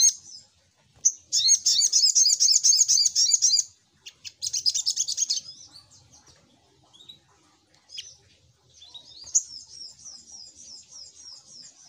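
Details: Little spiderhunter lure call with long rapid bursts of buzzy high chips and sharp down-slurred notes, then a softer thin high twittering run.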